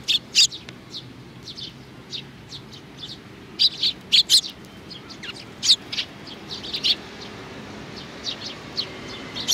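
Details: Several sparrows, young ones among them, recorded on 27 June 2019: short, sharp high chirps given singly and in quick clusters of two or three, irregularly spaced, over a quiet low background rumble.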